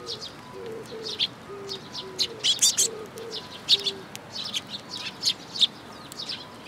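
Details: Sparrows arriving at a feeding spot on a shrine bridge railing, 9 June 2022; quieter high chirps scattered throughout, alongside repeated low, soft cooing notes from another bird.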